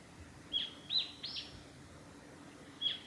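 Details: Japanese tit along a forest road by Lake Miyagase, Japan, March 2020: one short whistled phrase of three notes with a slurred last note, a pause, then a single thin whistle.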